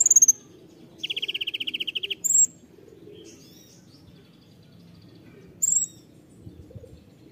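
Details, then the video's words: Konin in 'tembakan' style: a sharp opening note, then a fast even trill of about a dozen repeated notes lasting a second, followed by a clear high whistle and another whistled note after a pause; otherwise quiet. "KONIN TEMBAKAN"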